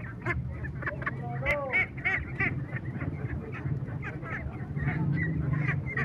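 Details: Little laying ducks quacking together: a dense, overlapping chorus of short nasal quacks, several each second, with a steady low engine-like hum beneath.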